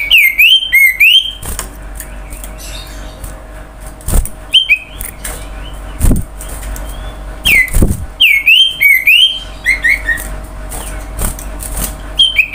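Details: Common iora singing a lure song meant to prompt other birds to sing: bursts of clear, looping whistled notes that swoop down and up, repeated in groups several times a second, broken by short pauses and occasional clicks and knocks.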